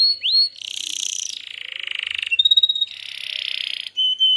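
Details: Singing canary in a training recording for young canaries and birds that went quiet: one rising swept note, then grating buzzy rolls, a pulsed rattling trill and level steady whistles.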